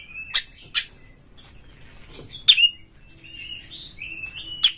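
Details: White-rumped shama, a kacer, with a song meant to provoke rival birds: scattered sharp clicks and chirps, a thin sustained whistle, and soft warbling, over a faint low background hum.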